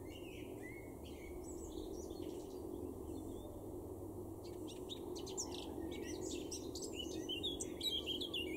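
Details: Male Eurasian blackcap singing in a garden in Weener, East Frisia, far northwest Germany, April 2024: scattered high chirps and quick warbled notes, becoming denser and livelier over the last seconds, over a steady low rumble.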